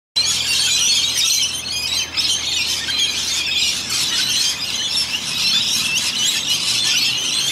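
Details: Around a hundred wild rainbow lorikeets in Australia, coming and going to bathe in a rain gutter, make a dense, continuous racket of harsh, high screeches and squeals, overlapping without pause.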